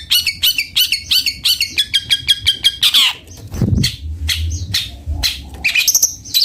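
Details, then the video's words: Long-tailed shrike, locally called cendet bondol, singing: a fast run of harsh, evenly repeated chattering notes in the first half, then scattered sharp squawks and chips, with a low hum underneath. "Suara merdu burung cendet bondol"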